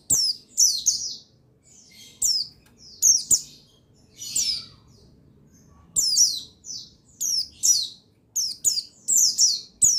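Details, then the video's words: Male buxtoni white-eye singing, recorded on 8 August 2021 to stir other white-eyes into song: high, thin chirping bursts with quick falling sweeps, about a dozen short phrases separated by brief pauses over ten seconds. "Buxtoni Menaikan Emosi Burung Pleci Bahan Agar Pleci Bustomi Gacor Cepat Bunyi"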